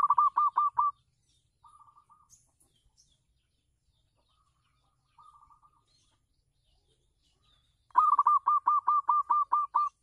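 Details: A local perkutut or zebra dove performing on a house terrace, used to attract other doves: a loud run of fast staccato coos, quiet purring trills in between, then another bright burst of about ten notes.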